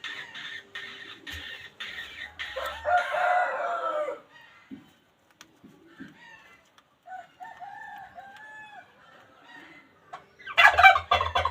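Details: Crowing of a wild junglefowl rooster: a rough crow early on, softer distant calls in the middle, and a loud abrupt crow cut off at the end.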